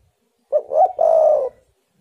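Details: Spotted dove calling, used as a lure to draw wild doves into calling: a single phrase of a short soft note, a rising mid note, then a long, steady, slightly falling coo, low and mellow.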